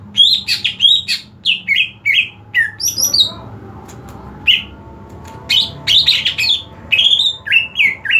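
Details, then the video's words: Green leafbird (cucak ijo) prepared for song contests. Harsh chattering alternates with swooping whistled notes in irregular bursts. A brief quieter gap comes midway before the energetic singing returns, with steady background noise. "Beberapa macam cara penerapan settingan lomba untuk cucak ijo"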